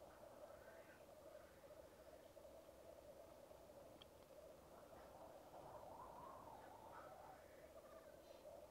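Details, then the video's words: Lekking black grouse, captured on a Rode Videomic Go, send out a continuous rolling, cooing murmur that swells louder after about five seconds. Brief sharp hisses and a faint click rise above the bubbling. "Black Grouse lek"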